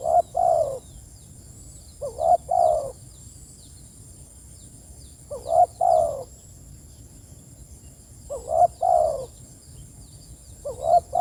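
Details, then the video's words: Spotted dove calling its companions: low, mellow coo phrases of two or three quick notes ending in a longer hollow coo, repeated about every three seconds, with faint high chirps of small birds and a steady high whine behind. "Panggilan suara || TEKUKUR"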